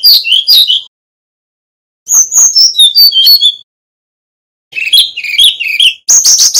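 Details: Singing male Brown-chested jungle flycatcher from Bali, meant to teach other birds: repeated bursts of quick high chirps and slurred whistles in three to four phrases with brief silences.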